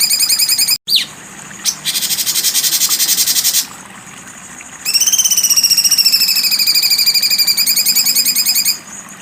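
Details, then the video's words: Cucak cungkok with sharp besetan singing: a short falling note, a harsh two-second rattle, then a long buzzy trill of quick pulses rising slightly and holding for about four seconds. "cucak cungkok besetan tajam"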